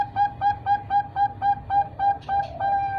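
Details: Three-month-old Bangkok zebra dove chick from a bird farm, clear tonal notes repeated about every quarter second, steady and flute-like, with faint low background rumble.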